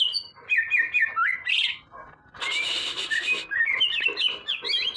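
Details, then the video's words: Leafbird, known in Indonesia as burung ijo, delivering quick warbled chirps and sliding whistles, interrupted by a loud harsh noisy burst mid-phrase before the twittering resumes. "kicauan burung ijo"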